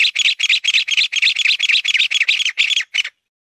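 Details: Mountain bamboo partridge delivering a rhythmic series of about thirteen harsh, grating notes at roughly four per second, ending cleanly in silence.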